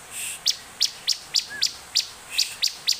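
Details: Olive-backed tailorbird song used as a lure to make other birds sing: short sharp high notes repeated about three times per second, with a faint higher trill near the start and a brief soft whistle in the middle.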